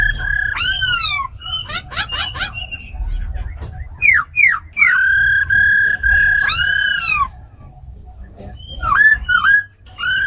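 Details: Caged laughingthrushes, a female giving rolling 'ro khẹt' calls and a tame khướu mun singing in wild 'forest voice' style to excite newly caught birds: loud clear whistles, descending arcs, rapid buzzy trills, long level notes.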